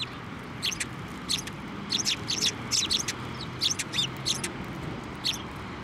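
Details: Sparrows flying onto a hand for food at a Tenmangu shrine on 23 November 2023; short, sharp high chirps in quick clusters, repeated every half second to a second, over a low steady background hum.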